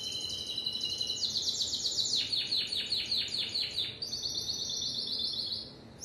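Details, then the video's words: Timbrado canary in song: high rolling trills give way to a run of regularly repeated, downward-sweeping notes, then a bright, rapid high trill resumes before fading. "تغريد كناري التمبرادو"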